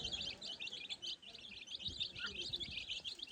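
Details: Baby chicks exploring the ground on their own make a rapid, overlapping stream of thin, high-pitched peeps with only a faint background hiss.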